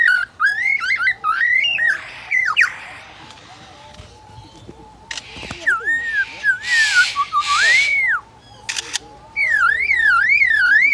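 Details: A Lyrebird at Adelaide Zoo mimics the photographer's camera: looping rising and falling whistles, sharp mechanical clicks like a camera shutter, and a fast zigzag warbling trill to finish.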